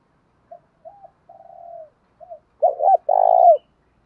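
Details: Spotted dove calling to provoke and lure wild rivals into a fight: a few soft, short coos and a drawn-out purring note, then two loud, rough coo bursts, the last long and slightly falling.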